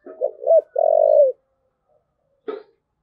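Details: Spotted dove, 'thúc gù' cooing: a couple of short throaty notes run into a long, smooth, low-pitched coo. A brief sharp click sounds after a pause.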